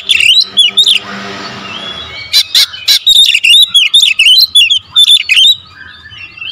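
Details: Oriental magpie-robin 'pancingan' song with close-fired 'tembakan' notes: quick curling whistles, a pause with soft hiss, then a rapid string of about a dozen loud clipped bursts mixed with warbled phrases.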